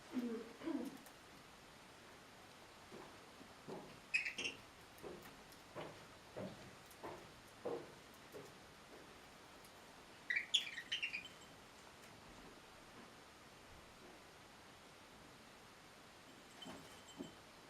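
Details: Two pet budgerigars sharing one food bowl trade sharp, scratchy chirps and short squawks while squabbling over the food.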